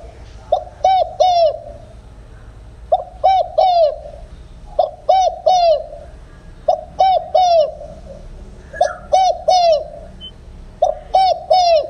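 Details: Spotted dove giving 'đồng không hậu' style coos, used to lure doves into traps: six steady phrases about every two seconds, each a brief opening note and two hollow, rolling coos, in a quiet setting.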